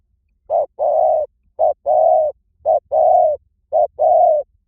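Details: Spotted dove cooing: a short low coo followed by a longer, steady coo, the pair repeated four times at an even pace in a quiet setting.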